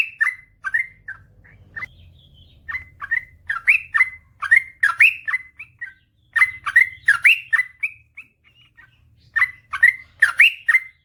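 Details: Long ropel panjang song from a sooty-headed bulbul, meant to train lazy birds to sing: runs of bright, bubbling whistled notes in fast groups, broken by brief pauses, with a faint low hum beneath.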